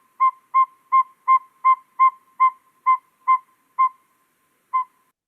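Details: A very small Northern Saw-whet Owl, a hard-to-find species of the spruce and coniferous woods along New York's Finger Lakes Trail, gives about ten clear whistled toots on one steady pitch, nearly three a second, then a last toot after a pause.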